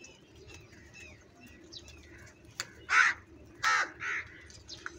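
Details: Crow calling while eating food: after faint thin whistles and chirps from other birds, three harsh caws come in the second half, the middle one loudest.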